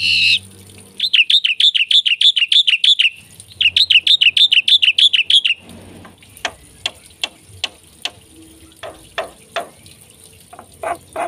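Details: Black-winged myna singing gacor full isian: two runs of rapid scratchy chirps, then a long stretch of isolated sharp clicks and short snapping calls spaced irregularly.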